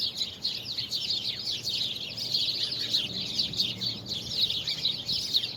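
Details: Many birds singing together on 24 February 2020. Shrill chirps and short twittering phrases pour out steadily over a quiet low background hum.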